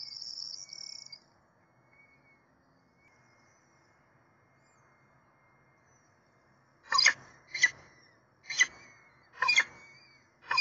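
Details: Peregrine falcon calls at the nest, 7 April 2024: a thin whine, then near silence, then a series of loud, harsh rasping calls about once a second.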